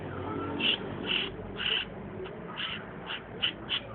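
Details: Long-tailed shrike giving short, bright, clipped notes repeated about twice a second, a few skipped beats between them, against a low background hum.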